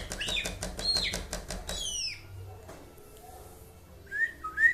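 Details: Leafbird from Aceh in 'mabok' song: a fast rattling run of clipped notes ends in high falling swoops. After a quiet pause, two bright rising whistles come near the end.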